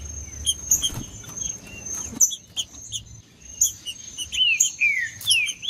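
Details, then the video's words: Green-winged saltator singing macheando to warm up and provoke other trinca-ferros: brief high ticks and chirps, then a closing burst of bold, descending slurred whistles, all over a persistent faint high whine. "Trinca ferro cantando Para Esquentar Trinca ferro"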